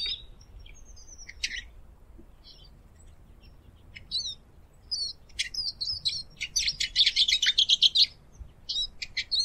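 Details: Eurasian siskin (Spinus spinus) singing over a low background hiss: scattered high chirps and twitters build into a fast, buzzy, rattling trill before ending in a few sharp notes.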